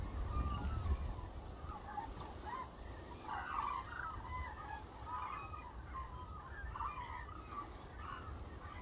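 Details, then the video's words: Hooded cranes massed in a rice paddy at Suncheon Bay, migrating flock: dense chorus of short, mid-pitched trumpeting calls overlapping steadily, with low background rumble. "흑두루미 논에 한가득"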